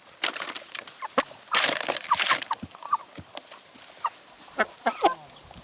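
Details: Chickens eating salad and vegetables give short, soft clucks at irregular intervals, mixed with sharp clicking and tapping bursts from pecking and handling food, with a dense noisy patch of scratching sounds early on.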